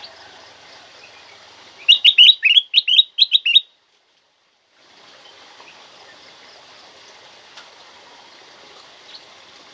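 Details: Black-crested bulbul offered as a master recording to stir other kept bulbuls into singing; a loud, clear burst of about eight sharp, hooked chirps delivered quickly over under two seconds, then a pause and faint background hiss.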